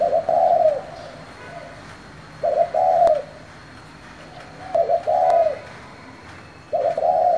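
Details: Spotted dove calling in the 'thổ' voice to stimulate newly caught doves: four low, mellow coo phrases about every two seconds, each a clipped opening note followed by a drawn-out coo.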